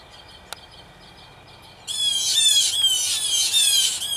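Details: Territorial battle among three to five blue jays in a backyard tree; quiet background and a single click, then an abrupt burst of loud, rasping, scolding squawks that run on without pause.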